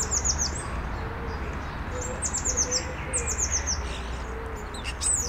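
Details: Starlings sitting together on a branch at evening, stretching and chatting: repeated rapid series of high, sharply falling chirps, several bursts through the clip, over low steady background noise.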